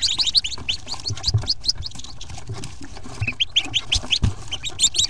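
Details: Many Hooded Merganser ducklings peeping at once inside a nest box on exodus day, April 2, 2014. High, overlapping chirps form a busy chorus, with occasional thumps and scratches underneath.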